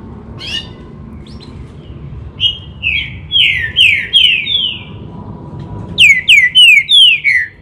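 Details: Green-winged saltator singing a run of loud, clear whistled notes, each sliding downward, delivered in quick bursts of roughly three per second, a brief pause, then a second rapid burst near the end.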